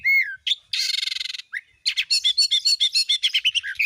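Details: Singing oriental magpie-robin used as a lure to stir other magpie-robins into song: a clear whistled note, a long harsh buzzing rattle, then a fast series of sharp repeated chirps.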